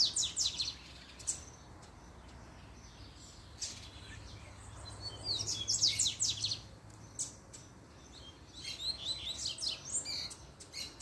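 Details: Puxada-style song of a double-collared seedeater: loud high chattering trills and quick warbled notes coming in clustered bursts, with quieter gaps between, over faint background noise.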